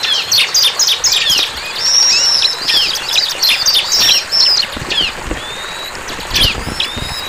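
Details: Bar-winged prinia, known locally as ciblek, singing in the wild: rapid, thin, high chirps and buzzy trills packed into dense overlapping bursts for about four seconds, then sparser scattered notes over a faint low rumble.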